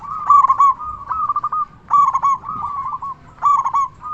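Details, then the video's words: Loud local zebra dove from Indonesia, sung to excite other doves and make them answer: three clear phrases, each a sharp stuttered opening followed by purring, trilled low coos. "Perkutut Lokal Gacor SUARA BESAR Ahlinya Bikin Semua Burung Perkutut Langsung Nyaut"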